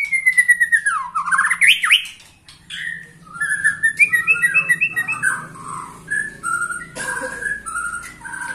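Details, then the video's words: Vigorous song of a white-rumped shama aged 21 years: a falling whistle and an upward swooping phrase, followed by a string of varied short whistled notes at mid pitch with a faint low hum behind. "Murai batu ini ternyata usianya 21 TAHUN Gaya main masih NGOTOT"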